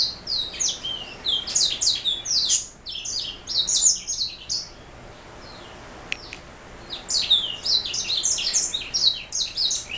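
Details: Black throat mule, a canary hybrid, singing rapid high twittering phrases, falling silent for about two seconds with a single click, then resuming the quick chirping song.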